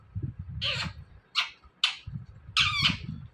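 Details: Indian ringneck parrot vocalizing while mimicking words: four harsh, raspy squawk bursts spaced irregularly, over steady low indoor rumble.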